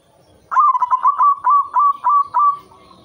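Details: Cooing song of a white zebra dove, played as a lure to bring on breeding condition: a stuttered opening burst, then about seven steady, mellow drawn coos in a regular rhythm, fading into quiet.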